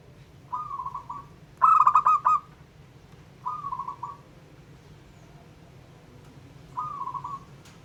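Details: Local zebra dove, a bird used to provoke other doves, gives quiet purring trills around one loud cluster of quick staccato coos. A low hum runs underneath.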